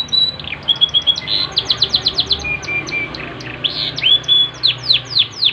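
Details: Vigorous Yorkshire canary song. Level whistles turn into rapid downslurred notes repeated about four per second, broken by low flat whistles and louder swooping phrases.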